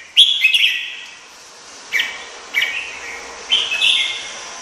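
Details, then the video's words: Several short slurred whistles from a red-whiskered bulbul, one quick double phrase first, then three spaced chirpy notes against a soft steady background noise. "Chim chào mào | Chim chào mào hót hay nhất năm 2017"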